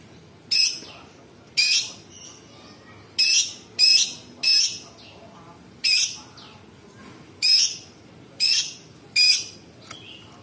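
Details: A cucak cungkok bulbul singing actively gives harsh, scratchy high bursts, about nine in ten seconds, each a short rasping burst at an uneven pace, over a quiet background. Its song is said to include imitations of small birds, large birds and insects.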